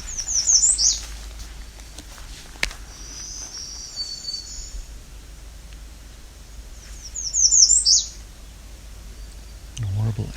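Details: American Redstart song at Alvar Bay nature reserve, northwest end of the Bruce Peninsula, on a summer early morning, near Black-throated Green Warbler and Winter Wren: two high, thin bursts of quick repeated notes, each ending in an emphatic downslurred note, about six seconds apart; a man's voice at the end.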